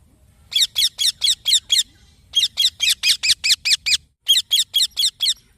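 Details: Green baby parrot chirping in three rapid bursts of harsh, high, squeaky notes, six to eight per burst, with brief silences between.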